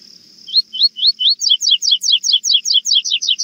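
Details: A Rusty-collared Seedeater (coleiro) sings a classic "tui tui zel zel zel" third-note song: a few clear slurred whistles, then a fast series of bright, falling double notes repeated steadily.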